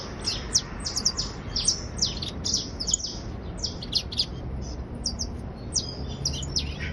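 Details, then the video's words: A criollo basto canary trills continuously, high sharp downward strokes grouped in fast clusters, varying in spacing, with a soft low background noise throughout. "Canario criollo basto trinando"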